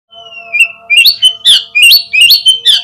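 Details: Oriental magpie-robin song used as a lure to make kept birds respond quickly and open their tails: a long level whistle, then loud rapid phrases of sharp, rising and falling whistled notes, over a faint steady background hum.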